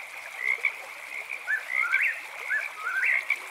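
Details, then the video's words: Eastern whip-poor-will singing at night near a tent campsite, a few rising three-part whistled phrases over a steady high chirping frog chorus. "Whippoorwill Bird Sounds"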